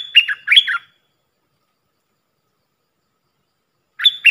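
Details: Decoy call of a Puff-throated bulbul used to train young birds, two bright downward-slurring chattered notes in quick succession, a three-second pause, then the phrase starts again.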